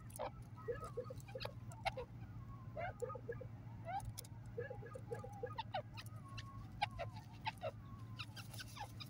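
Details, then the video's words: Grey francolins in forest give quick, repeated clucking and chattering notes, several birds calling over each other, with a few higher squeaks above a steady low hum. "Gray Partridge Birds Fun Voice titer awaz"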